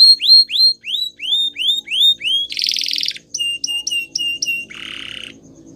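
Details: Gloster canary training song: loud rising whistled notes repeated about three per second, then a dense buzzy burst, short sharp chips and a lower rattling roll fading out.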